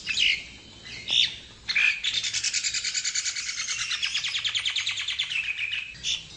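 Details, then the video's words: Nias hill myna song used for tutoring or luring: a few short bright notes, then a long rapid buzzing trill that pulses steadily for about four seconds. "Kicau Burung Jalak Nias Jika Ingin Di Buat Masteran Atau Mikat"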